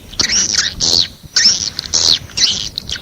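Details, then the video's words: Harsh, buzzy swiftlet chirps in short separate bursts, about two each second, with faint clicks between them. "Suara Panggil Walet"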